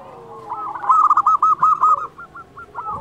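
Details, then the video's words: Local zebra dove singing, meant to stimulate doves that are slow to sing: a quick staccato string of bright coo notes that fades into softer, sparser notes, with other doves faintly cooing. "Perkutut lokal gacor Suara ini sangat di sukai semua jenis perkutut"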